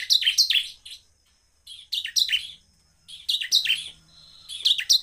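Bar-winged prinia giving high, scratchy chirping bursts of two or three quick notes, repeated about every one and a half seconds with short silences between.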